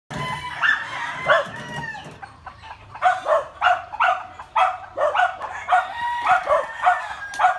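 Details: A family of yellow-vented bulbuls teaching their young to fly in a backyard give bubbly, chirping calls in short bursts of clipped notes, mid-pitched, repeated irregularly about twice a second, over faint background noise.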